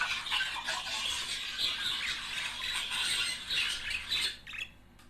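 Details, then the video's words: Courting budgerigar couple giving a rapid, scratchy warble of rasping chirps and tweets that run together, then break off near the end into near silence. "تحفيز# طائر البادجي على التغريد والغناء صوت يحفز البادجي على التزاوج"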